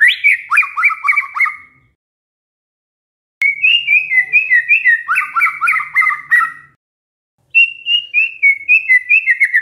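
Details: White-rumped shama performing canary mimicry, three phrases of rapid chattering and whistled notes at a brisk repeated pace, each phrase stopping abruptly before the next begins.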